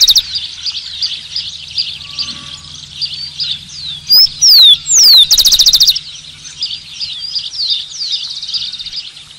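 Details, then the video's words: Amid steady background chirping from many birds, a rufous-collared sparrow sings loudly midway: a few clear downslurred whistles leading into a rapid, even trill lasting about a second. "Tico-Tico - Uma hora de canto"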